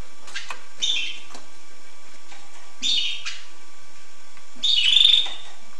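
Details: Hooded siskin song in three separated bursts of buzzy twittering, the last the loudest, with quiet pauses between.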